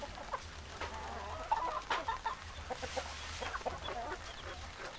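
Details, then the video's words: Several hens cluck together in a mixed flock with roosters: brief nasal clucks and murmuring notes tumble over one another, a few louder squawks standing out against steady low rumble. "Chicken Sounds Noises Hens Clucking Roosters Crowing"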